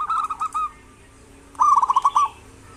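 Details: Two rapid stuttered coo phrases from a local zebra dove used to coax lazy doves to call, the second a longer, louder rolling trill.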